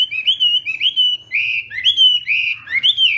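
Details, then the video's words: Hwamei singing at dawn for practice: smooth, fluty whistled phrases, each a rising-then-falling slur, repeated roughly once a second with slight variations. "Hoạ Mi Hót Đấu /hoạ mi hót sáng luyện giọng"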